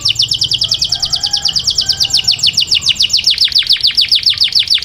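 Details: Courting male canary directing song at a female; a long run of quick, repeated high chirps, each note sliding down, delivered at a steady pulse.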